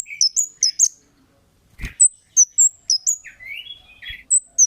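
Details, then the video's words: Kemade calling as a lure for other birds: short runs of piercing high chirps, a sharp thump midway, and lower buzzy, rising slurred notes near the end. "Suara Burung Cit Kemade GACOR--Pancingan Cit Keres Bahan Pasti NYAUT GACOR"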